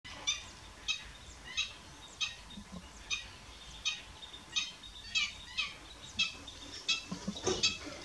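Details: Marbled duck at S'Albufera, recorded on 6 June 2023: short, high, nasal squeaking notes repeated about every half second to second in an uneven series, with a quiet background hiss.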